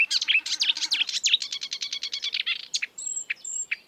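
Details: Marsh warbler singing in the wild: loud rapid medley of swooping, buzzy notes and fast ticking, then sparser sharp notes with thin high whistles in the background.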